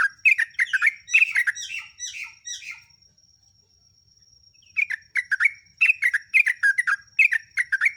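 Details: Sooty-headed bulbul singing actively, played as a lure to train captive bulbuls: a dense, chattering phrase of falling slurred notes, a silence of nearly two seconds, then a fresh series of rapid, bubbly chirps.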